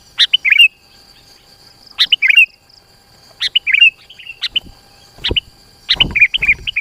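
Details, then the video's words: Energetic sooty-headed bulbul song intended as a lure that draws rivals nearer: short gurgling, whistled phrases every one to one and a half seconds, with thumps and rustling knocks near the end. "SUARA PIKAT KUTILANG GACOR ASLI_SUARA RAPAT_MENEKAN LAWAN MENDEKAT"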